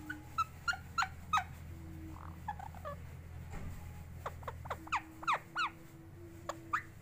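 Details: Talking pet parrot gives sharp falling chirps, then softer mumbled sounds, then a fresh run of quick squeaks that rise and fall. A faint steady tone and low hum continue in the background.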